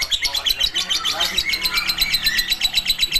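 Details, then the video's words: Long ngekek chatter from a Lovebird, a dense stream of sharp, high squeaky notes repeated about four per second, with faint lower sounds in the background. "burung Lovebird, ngekek panjang"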